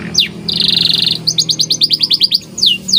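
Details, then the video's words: White canary in vigorous training song: a falling whistle, a buzzy rattle, then a quick series of repeated high trilled notes and two downward-swept whistles, with a faint low hum behind. "CANARY Gacor Cengkok Istimewa"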